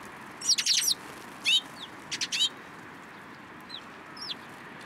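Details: Flock of sparrows flocking into a cherry tree at a Tenmangu shrine, 21 March 2023: a quick cluster of sharp, high chirps in the first two and a half seconds, then only a few faint distant notes.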